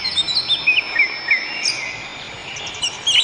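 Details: Wild birds singing in nature: thin, high chirps and short twittering notes, repeated irregularly about three times a second, over a steady high insect-like hiss.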